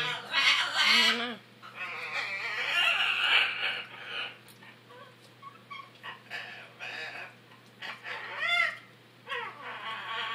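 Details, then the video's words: Noisy captive macaws indoors giving harsh, broad squeals and nasal honks, loud bursts early then scattered rising whistled notes; a steady electrical hum underneath. "Noisy macaws"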